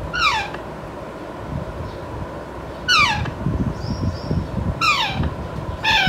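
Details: Young pet Alexandrine parakeet, five months old and not yet talking, giving raspy downward-sliding screeches repeated roughly every two to three seconds, with faint background hum between calls.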